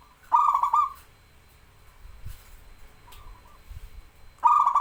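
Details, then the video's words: Actively singing local zebra dove, a master recording meant to lure birds that seldom sing: a burst of rapid staccato coos and trill, then a soft brief coo, then another burst starting as the clip ends; faint low thumps between. "BURUNG PERKUTUT LOKAL GACOR SUARA UNTUK MASTERAN DAN PANCINGAN"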